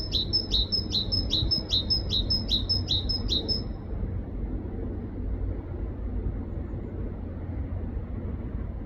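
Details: A great tit in a UK forest sings a quick run of about a dozen bright, ringing two-note phrases, then stops, leaving a steady low rumble of distant traffic.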